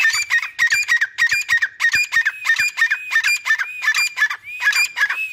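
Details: Two grey francolins in a cage give very quick, harsh, clipped notes, more than three a second, ending in longer rising-and-falling whistled calls.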